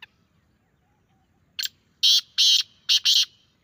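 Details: Loud, rasping grey francolin call after a silent lead-in: one short scratchy note, then two drawn-out harsh notes and a closing tight pair, strident and high with a clear, quiet background.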